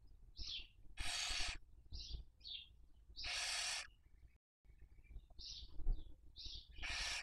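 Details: Nesting barn owl family on webcam in Spain's Cabañeros National Park, 2023 breeding season: three long, rasping hissed screeches alternate with short high squeaky chirps, and a brief silent gap midway.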